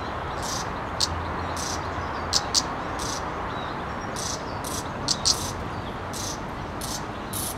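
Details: Two redstart fledglings perched on a twig give thin, very high, short begging calls at an uneven pace, roughly one or two a second, over steady hiss and a few sharp clicks.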